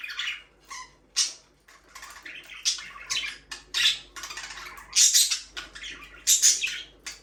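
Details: Budgies from an aviary breeding pair give rapid, harsh chirps and squawky notes in uneven bursts, several loud peaks standing out over constant high chatter.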